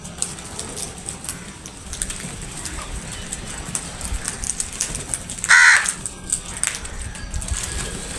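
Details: Feeding crows swooping on food; after several seconds of quiet rustling and distant chatter, one sharp, rasping caw rings out, then the scene settles back to low background noise.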